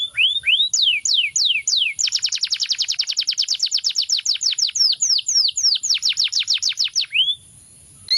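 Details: Canary delivering a few swooping whistles, then a long rapid trill of repeated falling notes that slows into spaced downslurs and ends with a short rising whistle before a pause.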